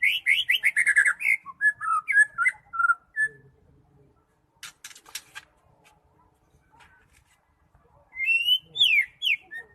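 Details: Medan-type white-rumped shama delivering a fast rich burst of whistles and trills, then near silence with faint clicks, before a final series of loud upslurred whistled notes.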